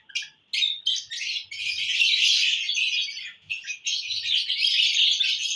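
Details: Happy lovebirds, June 1, 2022, giving a dense run of harsh, high chirping and squeaks that builds into near-continuous chatter after a brief pause near the start.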